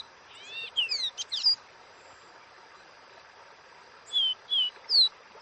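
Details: Capped seedeater (caboclinho) in "Dó Ré Mi" wild song: a fast cluster of slurred whistles, then a long pause, then a new phrase of clear whistled notes, each about half a second apart, with light background hiss.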